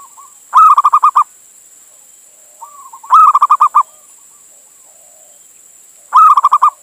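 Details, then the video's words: Calling to a female, a male local zebra dove from Indonesia, played as a lure for other birds: three loud rhythmic coo phrases about three seconds apart, each a long note and a fast pulsed trill, with soft coos before them. "Suara Perkutut Jantan Memanggil Betina"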